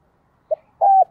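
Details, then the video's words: Lure spotted dove calling to attract wild doves: one short low pip, a brief gap, then a single steady, slightly burry hooting coo that dips at its close. "Tiếng Chim Cu Gáy Thúc + Gáy Gọi Dùng Kích Bổi"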